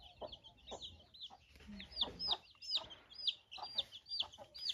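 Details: Hen with newly hatched chicks, calling them as they run to her; short clucks in an uneven series alongside many high, rising peeps from the chicks, with brief speech.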